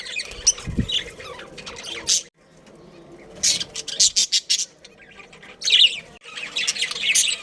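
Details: Budgerigars, a breeding pair with their family, giving short bursts of bright, scratchy high chirps and chatter separated by brief quiet gaps, with a low thump near the start.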